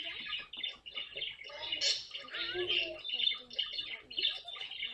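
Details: Pet caique parrot chattering continuously, with a run of harsh squawks mixed with a few brief whistled, bending notes around the middle, during playful funny moments at home.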